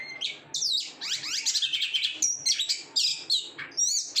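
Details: Caged oriental magpie-robin giving a loud, fluent song of varied whistles, slurred sweeping notes and short trilled phrases in quick succession.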